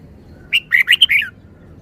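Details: A single crisp red-whiskered bulbul phrase: five quick, clear whistled notes in under a second, bouncing up and down and ending in a short falling slur, over a quiet background.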